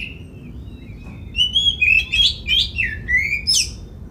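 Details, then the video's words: Steady Oriental magpie-robin song, a lure to make other magpie-robins sing out and fan their tails; a soft whistle first, then a fast run of sliding whistles and twisted, warbled notes ending on a piercing upward squeal. "Pancingan Suara Kacer Gacor Agar Bongkar Isian! Buat Kacer Lain Ikut Ngobra Buka Ekor"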